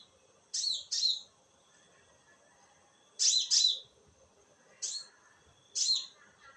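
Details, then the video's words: High, buzzy falling notes from a konin bird in the night, delivered in doublets and singles with short pauses between. "Suara konin di malam hari"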